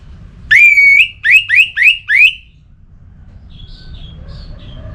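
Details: Orange-headed thrush, its sound used to push kept birds into song: one long clear whistle followed by four quick rising whistled notes, then soft, distant, twittering notes.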